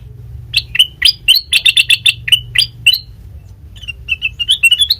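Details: Sooty-headed bulbul singing as a lure for untrained birds: loud, clipped chirps repeated several times a second, some doubled, easing into a softer, rambling twitter that rises toward the end.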